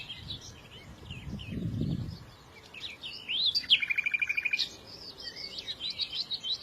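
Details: Bird chirping over low background noise: a sharp rising note, then a rapid even trill of about a dozen high notes for roughly a second, followed by softer repeated chirps.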